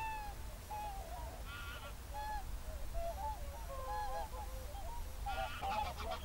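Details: Whooper swans calling at dusk in a national park, February 2023, among geese: distinct ringing, trumpet-like notes, some strong and clear, set against a quieter background flock and low rumble.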